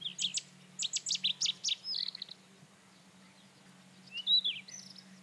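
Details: A Rufous-tailed scrub robin opens with a fast string of bright, piercing notes, pauses, then adds a softer slurred whistle and a rising twittered phrase. A faint constant low hum runs throughout.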